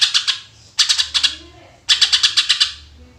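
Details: Greater green leafbird singing in natural voice to serve as a lure, three quick bursts of sharp, rapid chattering notes, the last longest with about eight clipped, ringing pulses, in a quiet setting.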